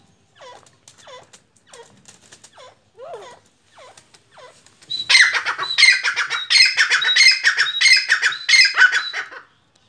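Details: Soft, descending chirps from a Black francolin, known locally as kala teetar or Sindhi teetar, give way halfway through to a loud, harsh, rhythmic call of grating, pulsed phrases that runs for about four seconds.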